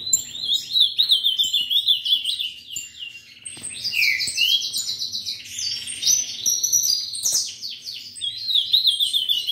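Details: Nearly continuous warbling song of an ultramarine grosbeak from a breeder, clear whistled notes rising and falling with buzzy trilled stretches, almost no pauses, over a busy chorus of high chirps from neighbouring birds.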